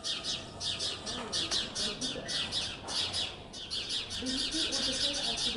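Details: In Jette, Brussels, on 5 May 2020, a group of sparrows keeps up a dense, harsh chatter of high chirps, several each second, alarming together as a magpie tries to raid their nest in a nest box; a faint voice may sound underneath.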